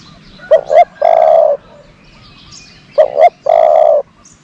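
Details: Decoy dove luring doves, repeating its phrase twice about two and a half seconds apart, each a quick double note followed by a longer steady low coo.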